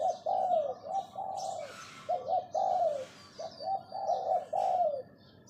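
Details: Captive spotted dove used as a decoy, crowing its 'phao' lure call: quick runs of gruff, bubbling coos with falling endings, two phrase groups, while other small birds chirp faintly.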